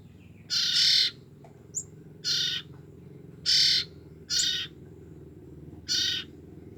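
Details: Five grating rasps at irregular spacing from young common iora siblings, only two weeks old and kept to lure their parent birds, with a faint hum and an occasional high chirp between them.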